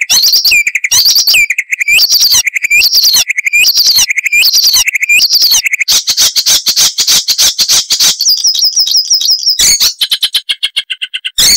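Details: Icterine warbler song: repeated rising phrases, then a dense buzzy trill, then scattered sharp notes and short pauses.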